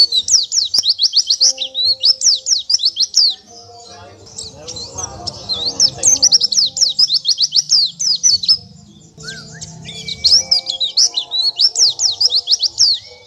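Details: Oriental white-eye song as a training master for songbirds: rapid series of high, sharply swept chirps in bursts, with a quieter middle stretch of low background noise and a few faint lower tones.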